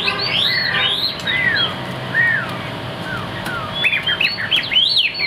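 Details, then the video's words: Chinese hwamei kept as a cage bird singing ringing, downslurred whistles spaced out at first, then a quicker cluster of high arching notes, with a soft low hum behind. "Bộ khủng hót cực tốt, đuôi lá vả, hót cao cầu | Họat Họa Mi"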